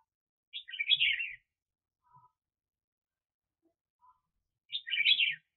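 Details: Decoy red-whiskered bulbul for trapping, 2021, sings two brisk chattering phrases of rapid high chirps about four seconds apart, with faint soft notes and light knocks between them.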